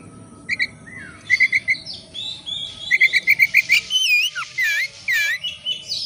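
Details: Oriental magpie-robin (kacer) singing as a lure for other birds: quick runs of identical short chirps repeated up to eight times, then bold looping whistled slurs that dip and rise, with faint buzzing behind.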